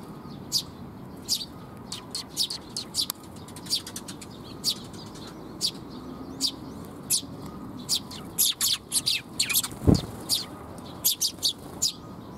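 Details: Eurasian tree sparrows coming to be fed at a Japanese bridge, 19 June 2021, chirping steadily: short high tweets from several birds, growing denser toward the end, with one low thump midway.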